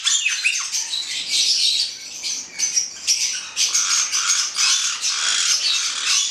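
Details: A pair of black-headed parrots giving a steady stream of shrill, grating screeches, mostly continuous with slight dips in loudness.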